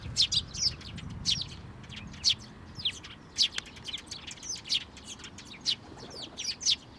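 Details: At a Tenmangu shrine on 22 May 2024, sparrows come for food and feed their chicks. Dense, overlapping high chirps and tweets come in quick, busy succession from several birds.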